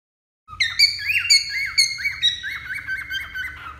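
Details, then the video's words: Pet cockatiel singing a lively run of clear whistled notes, each slurring up then down, delivered rapidly and gradually stepping lower in pitch, with a faint low hum in the background. "Cantos De "Calopsita" MAIS BONITOS e MELHORES - Cockatiel Singing"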